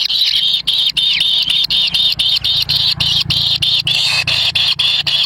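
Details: Wild kingfisher chicks scramble for a black lizard their parent brings to the nest, giving a dense, buzzy, high-pitched begging chorus in short bursts about four times a second, separated by brief gaps.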